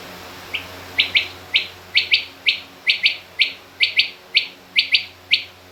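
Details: Female rain quail calling, mixed with king quail: a steady run of about a dozen bright chirps, mostly in close pairs, repeated roughly twice a second over a hissy background.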